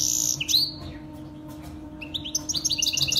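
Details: Saira canary used in training young birds to sing: a high whistled note sliding downward, a short pause, then quick repeated chirps rising into a busy rolling series of bright notes, with a faint steady hum beneath.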